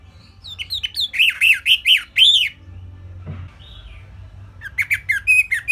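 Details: Orange-headed thrush (anis merah) singing a simple song used as a tutor recording for other songbirds: a rapid series of slurred, looping whistled notes, then a pause with a soft bump and a second burst of quick, bright notes.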